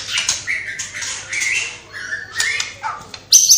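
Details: White-rumped shama song mixed with copied calls of house sparrow, fighting lovebird, kapas tembak and cililin. Softer, scattered phrases of whistles and rasping chirps, ending with one loud, sharp high note.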